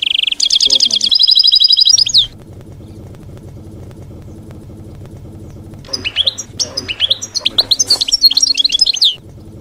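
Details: Canto campero of a European goldfinch, meant for training young birds to sing: an opening run of rapid trilled notes, a long gap of low hum, then a burst of tinkling, chattering twitters.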